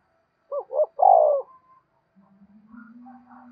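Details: Spotted dove giving a prompting coo for newly caught caged birds. One phrase of two brief coos and a drawn-out falling croo, then a low droning hum with faint twittering above it.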